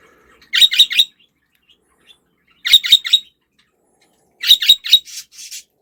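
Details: Budgerigar giving harsh, warbling chirps in tight groups of three, repeated roughly every two seconds, with clear silence between the bursts.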